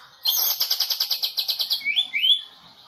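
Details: Medan-type white-rumped shama, a national champion of the 2018 President Cup contest, delivering a 'tembakan' burst: a rapid series of around fourteen harsh pulsed notes, followed by two clear rising whistles, then fading to quiet.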